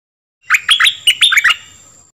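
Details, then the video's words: Short burst of dok taeng bird song for training young birds and making them lively: about seven quick chirps, some dipping and some rising, packed into one second, then silence with a faint high hum. "เสียงนกดอกแตงEp.2 ใช้หัดลูกนก เปิดให้นกคึก!!"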